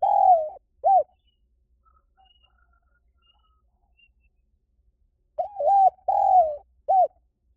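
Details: Spotted dove call used to draw in wild birds: two hollow coos, a long silence, then a quick group of three coos.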